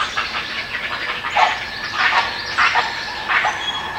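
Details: Great Blue Heron rookery: young chicks clack their bills in dry, wooden bursts of rattling clatter, coming in irregular bouts about every half second to a second, over a steady background hiss.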